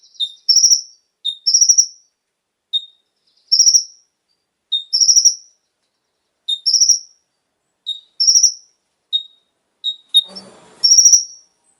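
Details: Brown-throated Sunbird (konin) song, played to get captive birds singing. Short low whistles alternate with high buzzy trills at regular intervals. A brief, soft rustling noise comes near the end.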